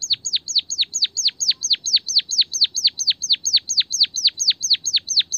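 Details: Training lure for a White-headed munia that is slow to sing: a loud, steady series of high, sharply downslurred whistled notes, a little over two per second, throughout. Original voice with canary-song fill.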